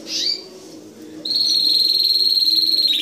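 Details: A short canary note, a brief pause, then a long, bright, steady rolling trill held at high pitch.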